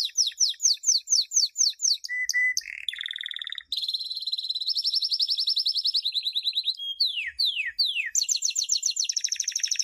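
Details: Canary champion song used for teaching chicks, 2016: repeated falling whistles, a steady plain whistle, a long even rolling trill, two sweeping slurs, then a bright high rattle to finish.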